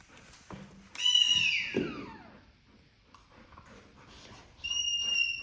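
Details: Pet parrot living indoors alongside a golden retriever gives a loud harmonic call that sweeps steeply downward, followed later by a short steady high whistle; quiet room noise and a man's voice nearby.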